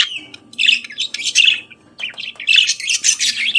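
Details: Budgerigar morning song, continuous rasping chatter with warbled, grating notes and a short dip in the middle, dense and high over a faint background hum.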